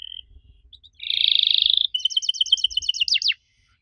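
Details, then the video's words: Odd canary song played to make young canaries reply: a short whistle, then a dense buzzy trill, then a rhythmic series of bright paired chirps closing with quick falling slurs. "Kenari Muda pasti nyaut kalo denger suara aneh kenari ini."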